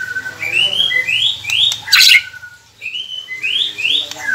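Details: Captive-bird training recording of white-rumped shama song: repeated rising whistled slurs in pairs and triplets, a brief loud burst midway, low hum beneath.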